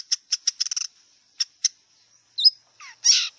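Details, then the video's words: Wild long-tailed shrike giving spaced sharp ticks, then a quick stuttering burst, a single slurred whistle and a closing harsh rasping note, over a constant high-pitched background hiss. "Kicau cendet liar"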